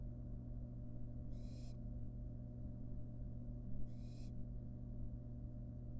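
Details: Wild barn owl fledgling holding a rat with a long tail dangling from its beak, in a nest box. Two harsh hisses about two and a half seconds apart sound over a continuous low hum.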